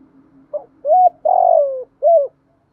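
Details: Spotted dove coo used to stimulate captive birds into calling: a short soft note, then three clear mellow coos, the third long and sliding downward, the last brief and arched, in a quiet room.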